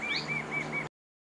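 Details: Male Marvellous spatuletail displaying at a lek near Huembo, Peru, whirling tail feathers at a passing female, gives four thin, high, even notes, about four per second, with one fainter higher note early on, over a low background hum.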